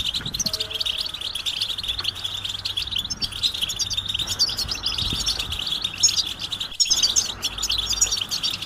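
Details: European goldfinch mating and readiness calls used to get quiet males singing: softer, continuous high twitter of quick chirps and short trills, livelier toward the end, over a low background hum.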